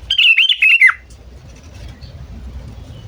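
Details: Lure call of a sooty-headed bulbul, used to attract birds: one short burst of liquid, warbled notes that dips at the end, followed by low background rumble.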